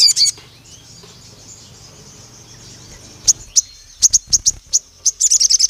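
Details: Agitated pied fantail: after a long near-silent stretch, sharp high chips start at scattered intervals, then tighten into a quick run of squeaky notes at the end.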